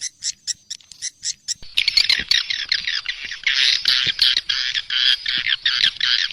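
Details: Swiftlet calls from an Indonesian 'sp kompak' sound made for swiftlet farmers: a series of short sharp clicks opens, then dense, buzzy, high twittering chatter in rapid pulses continues to the end.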